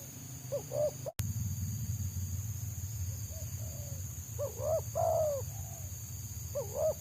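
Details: Wild Spotted Dove (tekukur) sought by trappers, with a dense, fast 'selang nguku' song: soft cooing phrases of short clipped notes and a drawn-out descending coo, broken by a brief dropout, over a constant low rumble.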